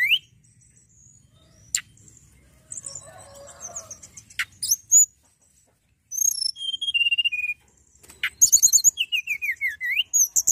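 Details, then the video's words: Hill prinia in full, vigorous song: scattered sharp high chips and clicks, then short runs of clear notes stepping downward, ending with rapid bright chatter and another falling note series. "tledekan gunung gacor"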